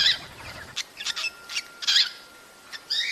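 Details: Cockatiel vocalizing for breeding stimulation: a quick run of scratchy, bright chirps and short squawks with quiet gaps between them.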